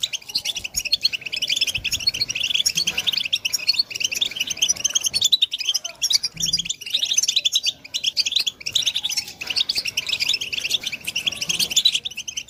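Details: European goldfinch song used to stimulate other goldfinches: a dense, continuous stream of high, tinkling twitters and chirps, rapid and unbroken for the whole stretch, with faint low background rumble.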